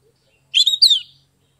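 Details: Oriental magpie-robin, Kebumen, Central Java, Indonesia, song meant to get reluctant birds singing; a single brief rich phrase of two quick slurred whistled notes.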